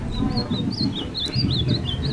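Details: A caged Ultramarine grosbeak, whose song has been developing in a cage with several perches, gives quick, high chirping notes that wobble up and down in a steady run, over a low background rumble.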